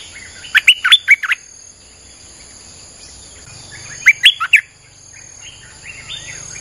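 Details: Streak-eared bulbul song in a nonstop style, played to lure wild birds: two bursts of four to five quick, bright chirping notes about three seconds apart, with a faint steady high insect whine behind.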